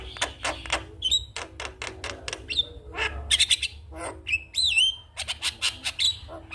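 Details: Morning song of a Javan myna meant to get other mynas singing: dense harsh clicks and rasps interspersed with bright whistled slurs, some falling and some rising, delivered in quick irregular bursts.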